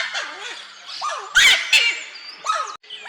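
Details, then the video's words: In Chaco National Park at sunrise amid light mist, a giant wood rail emerges from riverside vegetation giving its loud, harsh, squealing rising-and-falling calls with two sharp noisy bursts, then leaves calling. Other birds are faint behind. "apareció un ipacaá, emitiendo su distintiva y sonora vocalización."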